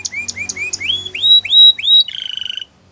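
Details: Canary singing a short phrase of soft rising whistles that grow louder and longer, ending in a fast buzzy trill before falling silent.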